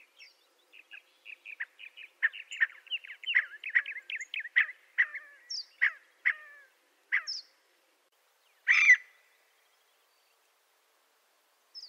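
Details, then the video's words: Scaled quail (blue quail, cottontop) gives a run of short, dry chips that quicken and tumble together, then a few louder, spaced notes and one harsh burst near the end. "Scaled Quail Call"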